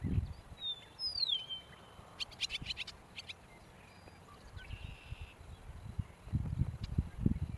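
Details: Eastern meadowlark: a clear slurred whistle sliding downward, then a short buzzy, rasping note a few seconds later, with a quick series of sharp ticks in between and low rumbling noise at the start and end.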